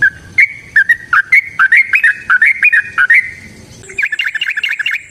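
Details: Yellow-vented bulbul lure song meant to prompt silent birds to sing; rising and falling whistled chirps in fast succession, then a quick warbling trill at the end.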